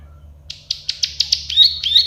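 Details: Plain prinia (prenjak sawah, klik-klik bird) gives a quick series of six sharp clicks that run into a rising buzzy trill.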